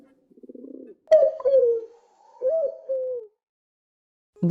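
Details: Pigeon giving its deep, muffled, rhythmic group call, used here to attract pigeons: a soft pulsed rolling coo, then two longer throaty coos that swell and fall, with a brief sound starting at the very end.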